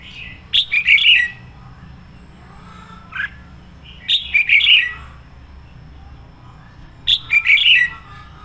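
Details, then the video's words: Decoy red-whiskered bulbul singing in the fired-up 'sổ bọng' style, used to train other bulbuls or lure them. Three bright, warbling phrases of quick notes come roughly every three seconds, with a soft low hum beneath. "Chào mào mồi hót sổ bọng căng lửa"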